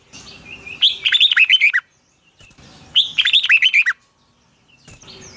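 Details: Long twisted double-voice morning song of a red-whiskered bulbul, a lure sound for training birds. Two matching phrases of quick, wavering whistled notes about two seconds apart, with near silence between.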